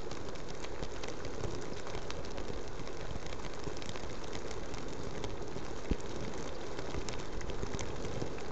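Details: Continuous crackling patter like rain on a surface over a deep rumble, with no animal voices.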